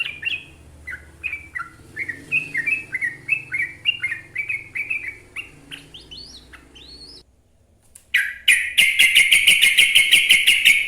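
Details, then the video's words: Sooty-headed bulbul, locally trucuk, in 'gacor ropel panjang' song: bouncing slurred whistles build to rising sweeps, then after a brief silence a fast, buzzy, evenly repeated series of high notes follows. "Kicau suara TRUCUK GACOR ropel panjang ini AMPUH bikin trucukan lain ikut GACOR"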